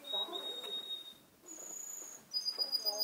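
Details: Male canary, a seven-month-old youngster in Garni, Armenia, recorded 2 October 2014, gives sustained pure whistles, one high note held for almost a second, while murmuring human voices run underneath.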